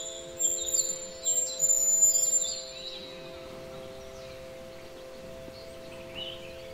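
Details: A Hazel grouse in Horná Orava protected landscape area, Slovakia, gives a very high, thin, drawn-out whistle of about three seconds; other small birds chirp behind and a faint steady hum runs throughout.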